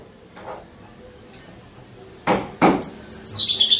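Streaked weaver gives a quick run of high, thin, buzzy chirps near the end, after two broad rustling bursts, over a quiet background.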